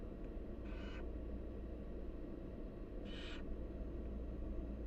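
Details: Wild barn owl nestlings being fed by the mother give two short, noisy hissing screeches about two seconds apart; a steady low hum runs underneath.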